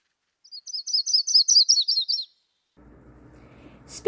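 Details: Yellow-rumped Warbler, the first and most common warbler to arrive on spring migration (April–May) in southeast Saskatchewan and southwest Manitoba, gives a loose, high trill of about a dozen quick, sweet notes fading at the end, then low rumble and a click.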